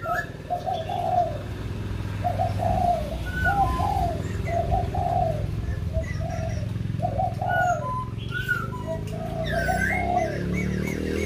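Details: White-crested laughingthrush at Kbang giving series of low, warbling hoots in spaced bursts over a steady low rumble, with occasional brief whistled notes from other birds.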